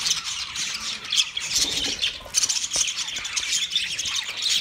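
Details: Mating chirps from a yellow male budgerigar amid steady, rough high chatter, squawky bursts running together without clear gaps.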